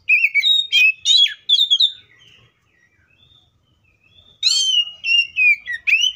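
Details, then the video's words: Varied whistled song of a wild Oriental magpie-robin: rapid bright notes sliding up and down, a pause of about two seconds, then more sweet, clear phrases with quick trills. "THIS COPSYCHUS SAUCARIS BIRD MOST LUXURIOUS SOUNDS LIKE IN THE WILD!"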